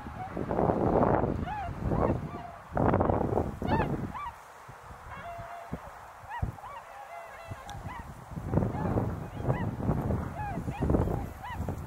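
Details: Many tundra swans gathered at snowy Azumino, cloudy and -4°C, trade mellow, bugling hoots in loose bursts; a quieter pause in the middle, then calling resumes with a low rumbling background.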